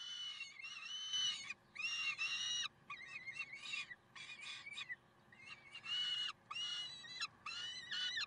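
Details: Several Peregrine falcons at Karlsruhe on 30 May 2010, 6:56. Repeated grating, wailing cries follow one another almost without break, each lasting half a second to a second, with a few choppier broken notes in the middle.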